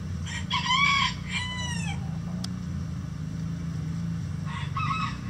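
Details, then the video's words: Hens of a mixed egg-laying flock call inside a coop, with a run of drawn, descending, nasal squawks early on and another burst near the end, all over a steady low hum. "Relaxing Chicken Coop Sounds"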